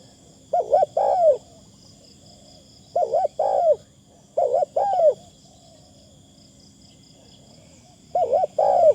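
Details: Spotted dove calling as a decoy, voice light and sweet: four repeated coo phrases, each a paired short hoot and a longer sliding coo, roughly every two to three seconds, steady high hum in background.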